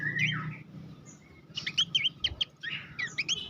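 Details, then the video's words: Horsfield's babbler song used as master song for training competition songbirds: rapid bursts of sharp, varied chirps and short whistled slurs, with a brief rising-falling whistle at the start and a faint low hum beneath. "masteran mewah khas pelanduk semak"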